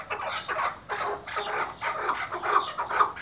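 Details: Chukar partridge from Iraq, kept for hunting, calls with broad, hoarse chuck notes about twice per second, each note short and gritty, in a loose rhythm.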